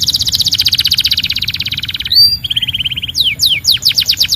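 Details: A Belgian canary delivers a long, fast, loud rattling trill, switches to a lower steady trill, then finishes with sharp descending whistled slurs repeated in quick succession.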